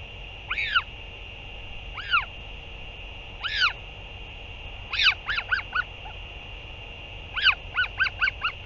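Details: Northern royal albatross at a nest on 8 June 2023 as a parent returns to feed the chick: single spaced honks every second or so, then two quick bursts of four or five rapid honking notes, with a constant hum.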